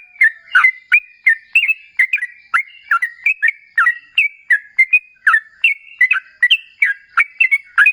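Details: Sooty-headed bulbul, known as trucukan, singing a continuous lure song aimed at prompting answering calls: quick alternating whistled chirps, some dropping sharply, others flat, delivered at an even, busy pace.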